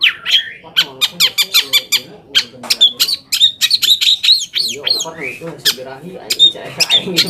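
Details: Long-tailed shrike song used as a lure to make other shrikes answer and become agitated; a rapid, continuous stream of harsh chattering notes mixed with slurred whistles and squeaky mimicry-like phrases.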